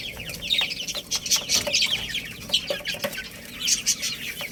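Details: Little chicks chirping while they eat rice: overlapping shrill peeps come in quick bursts, some louder ones standing out, with faint soft ticks underneath.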